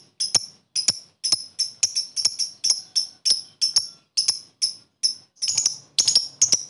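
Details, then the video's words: Lovebird calls meant to prompt lethargic lovebirds to sing quickly; sharp, high, piercing chirps repeated steadily about twice a second throughout, with some bursts doubled and a faint background rustle. "Suara burung Lovebird,terapi Lovebird lesu males bunyi cepat respon"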